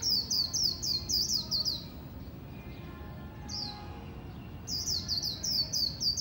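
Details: A competition-grade Oriental white-eye sings rapid, high, twittering phrases of quick down-slurred notes, pausing briefly mid-clip before resuming the bright chatter.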